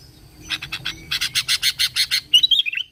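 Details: Sooty-headed bulbul song meant to provoke other bulbuls into singing: a string of about ten quick buzzy pulses, speeding up, then a liquid whistled phrase that drops at the end.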